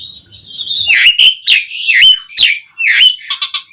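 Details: Asian pied starling song meant to get other starlings singing, a fast run of slurred whistles and squeaky rising notes with rasping buzzes between them, ending in a few clipped chips.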